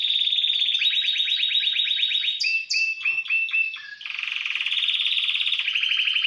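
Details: Timbrado canary, caged, delivers a long metallic rolling trill, a few stepped bell-like notes in the middle, then another steady pulsing roll.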